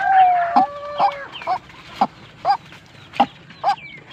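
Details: Tame but aggressive white-breasted waterhen: a drawn-out whistled tone opens, then short punchy notes repeat roughly every half second, with faint high chirps in the gaps.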